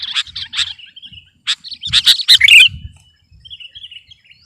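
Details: Sooty-headed bulbul in full, chatty competition-style song meant to overpower rivals: bursts of sharp, clicking chips over bubbly warbled phrases, loudest in a dense run at two to three seconds, then a softer trailing warble.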